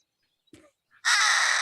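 Harris's Hawk giving a loud, harsh, grating rasp that starts abruptly and holds steady, after a couple of faint short sounds.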